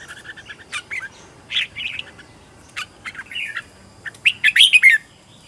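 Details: Red-whiskered bulbul singing as a lure for wild birds, trained at home in Vietnam: scattered chirps build into a fast run of loud, warbling whistled notes toward the end.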